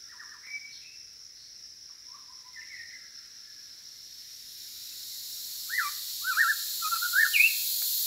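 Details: White-rumped shama song: scattered soft whistled phrases at first, then a louder run of varied fluty, slurred notes near the end, with a constant high hiss that swells in the second half.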